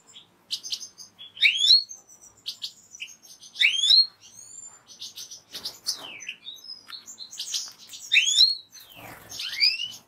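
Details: European goldfinch song: bright twittering phrases of high tinkling notes mixed with quick rising slurred whistles, loud bursts coming roughly every two seconds with softer chatter between.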